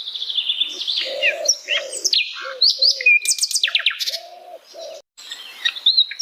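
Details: Asian brown flycatcher singing in natural habitat: a lively mix of whistled slurs, quick downward chips and a thin steady whistle, with lower soft husky notes repeated beneath.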